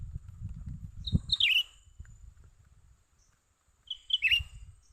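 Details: Young cucak ranting bulbul heard during bird trapping: two short bursts of bright, slurred chirps, each a quick rising-then-falling note cluster about three seconds apart, over low rumbling background noise.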